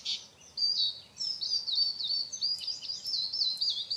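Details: Eurasian siskin, Carduelis spinus, a small finch: a high, thin twittering run of wheezy, trilled notes sitting well above the low range, continuous through about four seconds with a few sharp clicks near the end.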